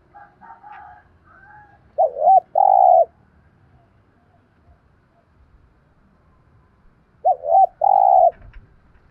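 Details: Spotted dove with a good voice, for decoy training: two phrases several seconds apart, each two quick looping low notes and a long rough coo, with faint distant coos at the start.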